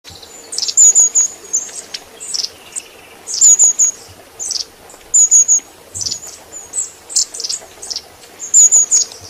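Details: Long-tailed tit (Aegithalos caudatus), call.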